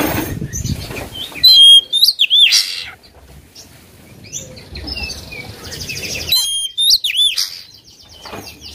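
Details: Oriental magpie-robin provoked to sing against a rival, caged; bursts of loud whistled and trilled phrases with sharp dipping notes, separated by quieter stretches of rustling and faint chirps.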